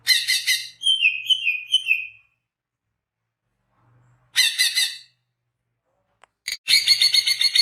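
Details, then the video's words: Greater green leafbird song meant for luring birds: a run of short whistled downslurred notes after harsh chatter, then silence, another buzzy chattering burst, and a loud grating outburst at the end. "SUARA BURUNG CUCAK HIJAU GACOR Untuk PIKAT BAHAN PROSPEK"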